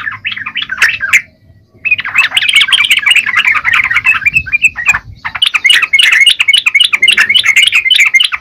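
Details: Yellow-vented bulbul in lively, persistent song: dense runs of bubbly, chattering notes around the mid-high range, brief pause near the second mark, then a long unbroken stream of quick, irregular warbled phrases.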